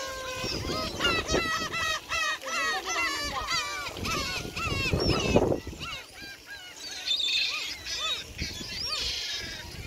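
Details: Many gulls call in a noisy chorus at Gyeokpo Beach on Korea's west coast. Their harsh, rising and falling mewing cries overlap rapidly over low surf rumbling underneath.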